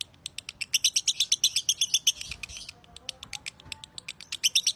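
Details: Broty lovebird song in the long-pulling style: quick strings of shrill chirps, a loud ringing burst early on, a brief quieter stretch, then bright chirping returns at the end.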